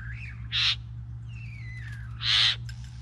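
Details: Three bowerbirds; two loud, harsh hissing bursts about two seconds apart, with a thin whistle sliding downward between them and a short rising note at the start, over a low steady hum.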